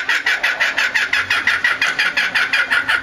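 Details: Laughing kookaburra calling at Higashiyama Zoo, Japan, on 25 May 2011, said to sound truly like laughter: a rapid, steady run of harsh, rasping cackles, about six per second, evenly loud throughout.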